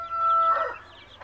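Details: Native mother hen calling her chicks to food, scratching and picking up bits to show them; one short, steady, drawn-out harmonic note that breaks into a rougher tail.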